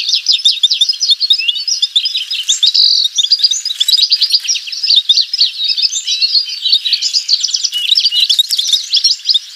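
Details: Lawrence's goldfinch singing a continuous, rapid, high tinkling warble of jumbled twittering notes with short buzzy trills, delivered in dense bursts with brief pauses and no other clear sounds.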